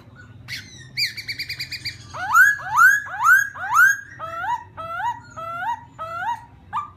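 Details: Laughingthrush song aimed at provoking another bird: a quick stuttered trill, then four loud rising whistles, then a string of shorter paired notes repeated about twice a second, with a faint low hum.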